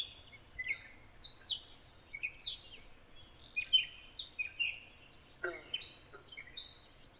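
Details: A Connecticut Blue-winged Warbler, in an area of heavy interbreeding with Golden-winged Warblers, gives a thin, high buzzy note midway, set among many other birds' short whistles and chips.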